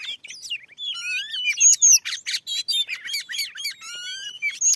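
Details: Very fierce wild oriental magpie-robin answering a lure in a newly set-up field: a loud, dense, nonstop song mixing clear whistles, rapid trills and harsh scratchy notes.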